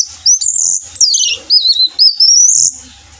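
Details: Orange-headed thrush song used as a lure to prompt singing: a loud, fluid whistled phrase of sliding, warbling notes that rise and dip continuously for about two and a half seconds, with faint low thumping behind.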